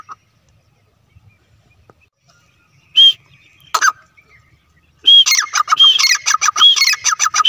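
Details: Grey francolin pair, teetar, recorded while hunting partridge: after near silence and two isolated sharp notes, a loud rapid series of ringing, clicking calls bursts out and continues without pause to the end.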